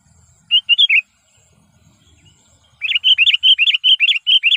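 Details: Trained sooty-headed bulbul giving its lure call to challenge wild birds: a brief four-note warble, a pause, then a rapid, even string of around a dozen bright, slurred chirps.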